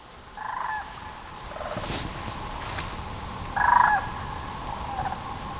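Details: A distant flock of sandhill cranes flying south over Southern Indiana forest in mid-December gives two rolling, rattling bugles about three seconds apart, over a steady outdoor hush with faint rustling.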